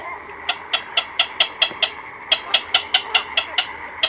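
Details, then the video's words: Black-crowned night heron colony at night, chicks and adults heard close: a steady series of bright, clicking pulses, about four per second, broken by one brief gap, over low colony murmur. "Black-Crowned Night Heron. Calls CU From Chicks & Adults In Colony At Night"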